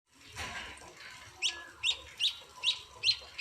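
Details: Munia chicks being hand-fed at a home: after a second of muffled background noise, five sharp, high chirps come at an even pace, roughly two per second.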